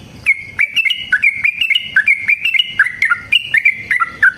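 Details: Yellow-vented bulbul singing a long fighting song used to coax other bulbuls into song: lively chain of clear whistled notes, slightly rising and falling, delivered over a second apart in quick bursts.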